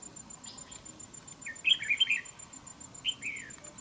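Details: Red-whiskered bulbul at a fighting trap: a burst of quick warbled, bouncing notes in the middle, then a brief downslurred phrase near the end over a faint steady high tone.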